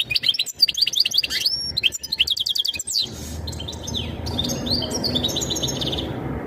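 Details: European goldfinch mating song given to prepare the female for breeding: crisp twitters and trills for about three seconds, then the singing continues faintly beneath a steady rushing hiss.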